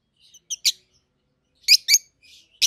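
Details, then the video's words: Two captive-bred peach-faced lovebirds, a red-headed green opaline and a red-faced dark green, about seven to eight months old: sparse sharp high chirps in two short clusters separated by a pause. "Peach-Faced Lovebird's Sounds"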